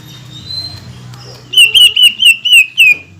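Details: Caged greater green leafbird song aimed at provoking rivals: a faint thin whistle, then six loud, rich, ringing notes repeated quickly and evenly.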